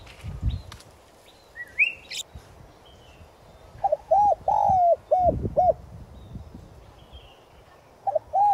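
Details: Spotted dove decoy bird in 'giọng son' voice, calling to lure and rouse wild doves; faint twitters from other birds first, then one clear phrase of cooing: a short note, a rounded coo, a long falling coo and two short coos.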